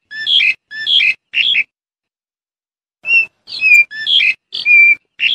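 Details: Black-collared starling giving loud, repeated two-part calls, each a short whistle followed by a harsh chattering burst, about two per second with a brief pause midway.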